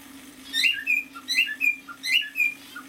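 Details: Cockatiel song from a half-year-old male: clear whistled notes around the upper-middle range, rising and falling in short paired phrases repeated about three times, over a steady low indoor hum.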